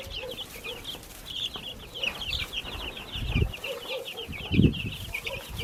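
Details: Several backyard baby chicks give rapid overlapping high peeps, each note dropping in pitch, with a softer lower call and occasional thumps of movement underneath.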